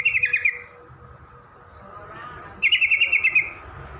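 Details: Yellow-vented bulbul song played as a lure to make other bulbuls answer: two short, bright, rapid trilled bursts of about half a second and a second, separated by a quiet gap with faint background hum.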